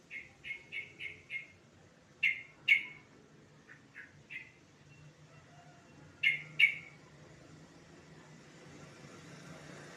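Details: Yellow-vented bulbul sounds meant to stimulate singing in other birds: a series of four short bright notes, then paired sharp chirps, scattered softer notes and a quiet gap, over a low hum.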